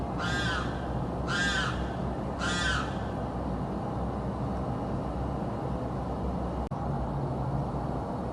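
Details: Unidentified bird in South Florida that screams day and night constantly: three harsh, nasal, harmonic screams about a second apart in the opening three seconds, then only a steady low rumble of background noise.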